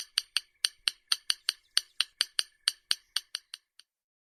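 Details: A secretive rail, detectable only by voice, gives its tapping notes: about sixteen sharp, dry clicks, roughly four a second, that weaken and fade out at the end.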